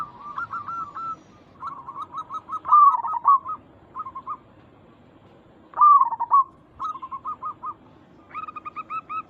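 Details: Zebra dove, local type, calling in a lure recording meant to get other zebra doves to respond. Short runs of rapid low coos are broken by two louder rolling trills, then fade into more staccato notes.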